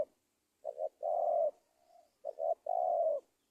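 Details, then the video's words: Spotted dove cooing as an Indonesian trapping lure: a double short note, a long rolling coo, a quiet low hum, then the same double note and long coo again. "SUARA TEKUKUR PIKAT"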